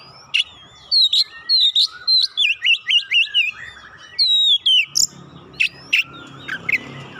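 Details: Song of an Oriental magpie-robin, played to coax a lazy bird into singing: a dense string of rapid, bouncing whistles and sharp chips about twice a second, then fainter notes over a soft background hiss.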